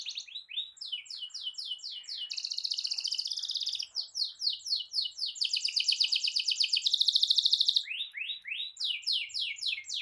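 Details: Singing canary, a long roll meant to stir other canaries: bursts of quick falling whistles alternate with sustained buzzy high trills, then more falling notes.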